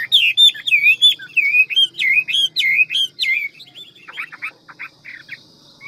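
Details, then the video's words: Ngũ trường Hwamei, a big handsome bird, with rapid forest-voice song: a fast string of clear whistled notes for three seconds, then softer scratchy chirps fading out over faint background hum. "Họa mi ngũ trường giọng rừng mau mỏ nhiều giọng"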